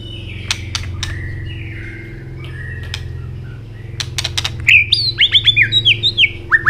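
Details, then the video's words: Asian robin in song: scattered whistles and clicks at first, then a fast run of rising, chirpy notes repeated several times a second toward the end, over a low steady hum. "Robin singing"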